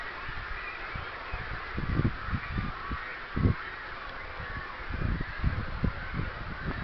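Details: Cormorants at a colony whose canopy is destroying a sensitive bird area give deep, guttural croaks and grunts in irregular bursts every second or so, over a steady hiss of wind or distant colony noise.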